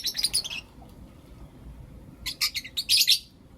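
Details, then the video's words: Shrill chattering from Blue Opaline and Lutino Opaline lovebirds in the morning: a rapid twittering run at the start, a quiet stretch, then loud staccato high chirps building at the end. "Lovebird Chirping Sounds and Call Sounds From Blue Opaline & Lutino Opaline"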